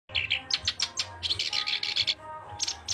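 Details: Black-browed reed warbler singing lively: fast scratchy chatter of clicks and buzzy high notes in dense bursts, with brief whistled accents near the end and a steady low hum beneath.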